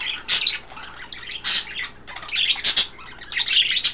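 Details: Several pet budgerigars, females, splashing in a water dish and vegetables while bathing indoors in a cage; bright, scratchy chirps and warbled chatter in short bursts, with splashing and wing flutters.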